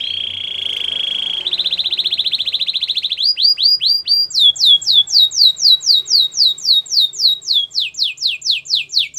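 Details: Belgian canary opens with a low buzzy roll, moves into a rapid even trill, then loud arched whistled notes repeated about four per second.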